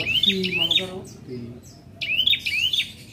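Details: Captive prinia in two-beat song: after a low humming voice-like passage, bright rising chirps arrive in close pairs, high and clipped, repeated twice in the final second and a half.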